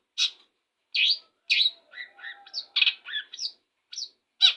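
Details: Long-tailed shrike singing in the morning after bathing, with scattered loud chips, soft warbled notes, and clear upslurred whistles, plus a faint thin tone underneath.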